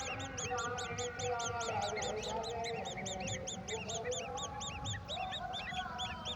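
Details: Golden oriole feeding a mantis to its young, which answer with a fast, dense chatter of looping high chirps, several series at once, above steady low background noise.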